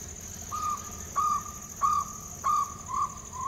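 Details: Wild jungle owlet at Silvassa, India; a series of short, even, hollow hoots on one pitch, repeated about every half second, slightly accelerating, with a steady high insect-like hiss in the background.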